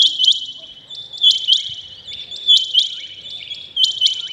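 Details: Early-morning rain quail call: crisp, high double notes, a sharp pair repeated roughly every 1.2 seconds, ringing against a quiet background.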